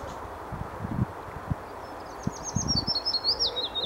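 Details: A willow warbler (Phylloscopus trochilus) at Motorcycle Wood, Wanstead Flats, London, in spring 2016 sings a soft, sweet phrase of high notes that cascades gently downward and strengthens toward the end, over low thumps of wind or handling.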